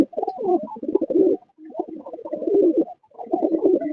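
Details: A domestic pigeon at a pigeon farm gives deep, throaty coos in rolling bursts with brief pauses between them, after rain as the weather clears.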